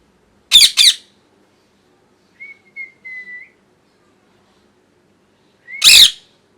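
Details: Pet parrot indoors, molting and losing feathers, gives two harsh, raspy screeches in quick succession, then a thin, steady whistled note with small breaks, and finally one more loud grating screech after a pause.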